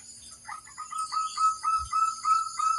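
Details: Song of a local crossbred zebra dove, used as a master recording to make other doves answer: a rapid string of short, clipped notes at an even pitch, building into louder, rattling pulses.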